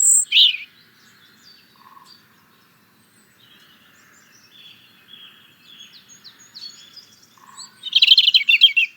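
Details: European robin song: a loud high thin phrase opening, faint scratchy twittering in between, then a bright jumbled burst of high notes near the end.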